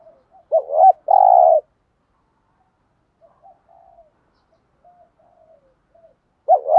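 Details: Spotted dove giving the 'thúc gù' style of coo, used as a lure to provoke wild doves into cooing back: a short wavering double note, then a long buzzy low coo, a pause with faint soft notes, and another coo beginning.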